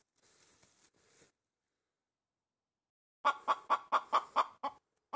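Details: Loud clucking from a pet hen perched on a tree branch: after a faint hissing rustle and a long quiet gap, seven quick clucks follow in a rapid, slightly uneven series, a little over two per second.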